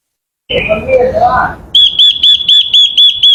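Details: Lure song of a Japanese white-eye for provoking birds: a brief lower, jumbled twittering passage gives way to evenly spaced, piercing high whistled notes, about four each second.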